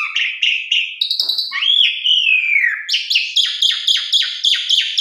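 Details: Tutor recording of a gacor Asian pied starling: wavering whistles, a long swooping slurred note, then a rapid string of about seven repeated, buzzy downslurred notes.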